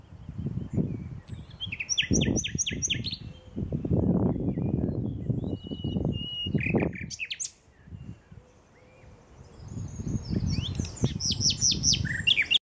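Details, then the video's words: Common nightingale singing in Westduinpark: bursts of rapid, repeated high notes and rich varied phrases, separated by short pauses, over a steady low rumble of background noise. "Nachtegaal (zingend)"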